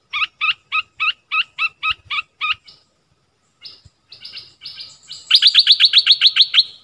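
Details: Dok taeng bird calling a mate in forest, 13 January 2021, as a decoy: about eight spaced, sharp chirps, a brief quiet gap, then a fast, louder rattle-like run of about ten chirps.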